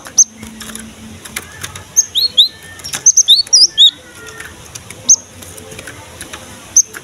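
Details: Active Cinereous tit song for luring and encouraging young birds to sing: piercing high whistled notes, some single and some in tight clusters, irregularly spaced, with soft background clicks.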